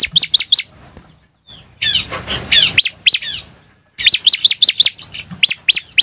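Bar-winged prinia singing bursts of sharp, high, rapidly repeated chipping notes, several per second, with brief pauses between phrases.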